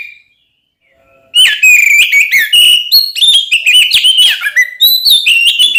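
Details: Oriental magpie-robin, a caged songbird in full loud song used to provoke other magpie-robins into fighting; after a quiet start, rapid varied whistles, slurred notes and chattering phrases run continuously.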